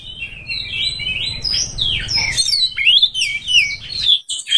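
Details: Oriental magpie-robin song aimed at finding a fighting rival: wavering whistles and descending slurs over low background rumble, then clearer rising and falling whistled notes after the noise stops.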